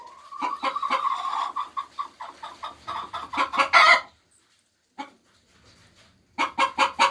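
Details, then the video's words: Hen calling while laying eggs: a run of loud, rhythmic clucks building to a harsh squawk, then a short pause and a fresh burst of four sharp clucks. "Sounds of 🐓Chicken's Laying Eggs 🥚🥚"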